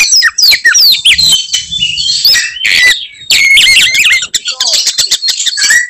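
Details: Oriental magpie-robin singing its fighting song to provoke other birds: sweeping whistles, harsh buzzy bursts and rapid chatter, with a faint low hum in the background.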